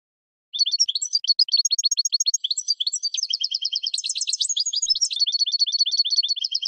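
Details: European goldfinch in spring, recorded to train cage birds: after a brief silence, a long unbroken song of rapid chirps, buzzy rattling trills and tinkling twitters, steadily delivered at high pitch.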